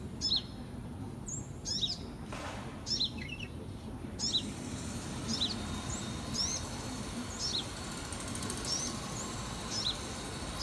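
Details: Young sunbird, a fledgling recorded in 2018, giving a series of thin, high sharp chips, roughly one every second, against a steady noisy background.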